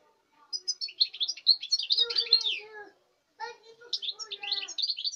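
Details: Goldfinch from this season's breeding, 05.08.2019, sings two quick bursts of high twittering mixed with lower nasal, harmonic notes, split by a half-second silence.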